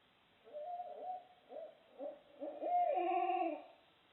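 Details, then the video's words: Loud, odd calls of barred owls: several short hoots in quick succession leading into a long, strong hoot that wavers and drops in pitch at the end. "That loud, strange noises were 🦉 Barred OWLS"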